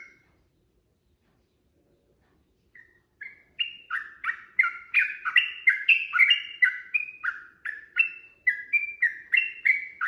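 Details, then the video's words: Sooty-headed bulbul singing a long, rapid fighting song meant to provoke a reply: a brief chirp, a pause, then a dense, lively stream of slurred whistled notes rising and falling, about three a second, over a quiet background. "trucukan gacor TARUNG ROPEL PANJANG pancingan trucukan agar bunyi jadikan burung trucuk gacor NYAUT"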